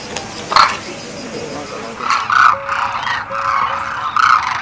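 Demoiselle Cranes give low, raspy 'grro' calls in short bursts every second or so, with several birds overlapping against a soft outdoor hiss.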